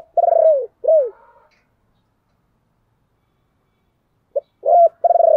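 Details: Spotted dove cooing as a lure for wild birds: two arched coos, several seconds of silence, then a short note, a coo and a trilled stuttering phrase.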